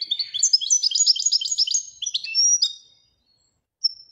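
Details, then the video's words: Goldfinch of the royal type pours out nearly three seconds of continuous, rapid, chattering twitter, then falls silent before one thin high note. "Le twitter et chardonneret royalتغريد طائر الحسون الملكي"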